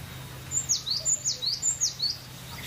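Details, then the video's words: Relaxed, full song of a cinereous tit: bright high whistles each dropping in pitch, delivered as a steady string of four or five two-note phrases, with only a low hum behind. "GELATIK BATU..PLONG BANGET BERKICAUNYA.SUPER SANTAI.GACORR"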